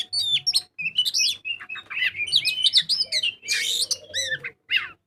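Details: Kacer, the Oriental magpie-robin, in energetic 'gacor ngobra' song meant as a lure for other birds: a dense run of swooping whistles and harsh rasping bursts, with a faint low hum underneath.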